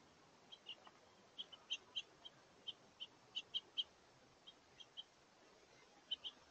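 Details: On a warm, windy November 2023 day, House Finches gather at a feeder; crisp high chirps sound in ones and twos, steadily repeated, roughly twenty notes over six seconds.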